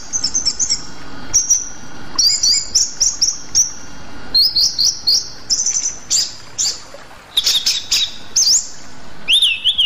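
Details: Rueck's blue flycatcher, a bird endemic to Sumatra, delivers a lively run of high phrases: fluttering trills, quick upward-sweeping notes and several clear whistles, ending in a looping falling whistle.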